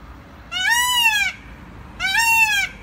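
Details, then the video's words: Peafowl calling twice, each a loud, drawn-out, nasal wail that rises and then falls, lasting under a second and separated by a short pause, over a quiet background. "Tavuskuşunun sesi"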